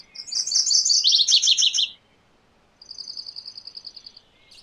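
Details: Song of a MacGillivray's warbler: a rapid, chanting series of buzzy high notes that steps down into a lower repeated section. It is followed by a separate, even, steady high trill.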